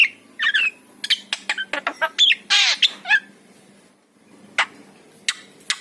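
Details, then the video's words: Crisp clicks and chips from a yellow-eyed Javan myna, a harsh descending squawk midway, then a near-silent pause broken by isolated sharp ticks. "KICAU JALAK KEBO MATA KUNING"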